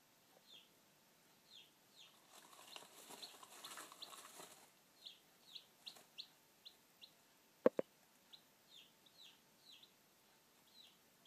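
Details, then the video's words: Hatching chicks peep in short, bright downslurred notes repeated about once a second, with a burst of hissing noise early on, two sharp clicks midway and a faint constant hum. "Líhnutí kuřátek"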